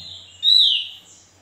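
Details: Javan white-eye (opior jawa) in a master recording, giving a single high, clear note, level then slipping slightly lower, lasting under half a second against a quiet background.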